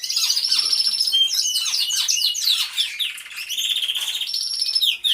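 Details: Aviary of singing canaries on a hidden camera: a loud, unbroken tangle of fast trills, downward-sliding chirps and ringing whistles from several birds at once, easing slightly before a final burst.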